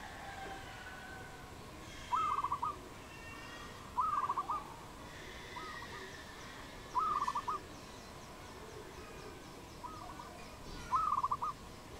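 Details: Wild dove calling in Cambodia on 22 April 2020, giving brief burry rolling coo phrases repeated roughly every two to three seconds, five or six in all, with faint other birds and a constant low hum.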